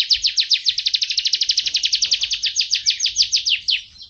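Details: A canary (Serinus canaria) sings a fast, bright trill of about nine high notes per second, rolling steadily for four seconds before a brief fading flourish.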